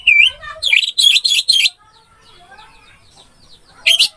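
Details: Masteran recording of an orange-headed thrush (anis merah): a whistled note and several loud harsh squeaky bursts, then a quiet stretch with faint distant notes before a final short burst.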